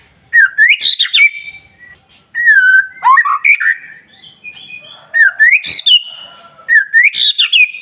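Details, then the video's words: Morning song of a white-rumped shama meant to set other birds singing: repeated phrases each opening with a rising whistle and sharp click, then fluty slurred notes, about every two seconds. "Pancingan Murai Batu Paling Ampuh Bikin Burung Lain Meledak Bunyi"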